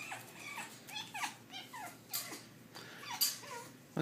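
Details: Hormonal African grey parrot coming of age, giving short whistled and squawky calls that sweep up and down, spaced roughly half a second apart, ending with a sharp click.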